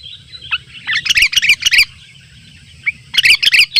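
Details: Birds gather at a simple trap in the wild while a sooty-headed bulbul calls rivals: two clusters of loud, tumbling high chirps separated by a near-silent gap of about a second.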